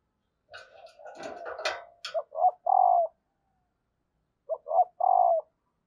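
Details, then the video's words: Female spotted dove calling to stir males into cooing. A rough, noisy burst opens, then two clear phrases follow, each two short coos and a drawn-out, gently falling final coo, about two and a half seconds apart. "tieng cu mai kich trong"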